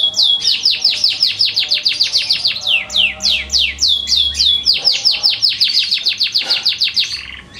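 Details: Darah Biru canary song made of rapid, evenly repeated descending sweep notes, about four per second, changing pace midway into slightly slower sweeps before a brief rattling burst and a renewed run of quick sweeping notes.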